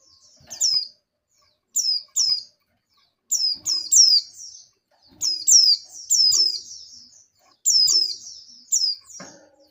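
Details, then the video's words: Female oriental white-eye in breeding condition calling a male, several females answering one another: high, thin, falling twittered notes in paired and triple bursts, repeated every one to two seconds. "Suara Pleci Betina Birahi Memanggil Jantan"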